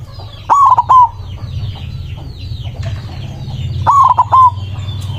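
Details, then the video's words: White zebra dove with a loud voice, singing excitedly to call rivals: two stuttered cooing phrases, each a sharp onset followed by clipped rolling notes, about three seconds apart. Other small birds chirp faintly in the background. "Perkutut putih gacor suara besar ampuh memanggil lawan bunyi emosi manggung"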